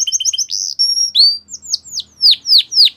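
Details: A Belgian canary sings a short run of quick chirps, a sustained high whistle, then a series of loud descending swept notes repeated about every quarter second.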